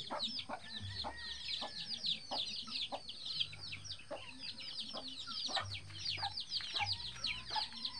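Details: Free-range hen with eleven chicks that follow her through the bushes; dense, constant high thin peeping from many chicks, with occasional low soft clucks from the hen underneath.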